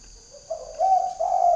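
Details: Decoy spotted dove with a big beaded collar giving a short coo phrase: a quiet lead-in note, then two louder, steady, hollow coos in quick succession over a quiet background.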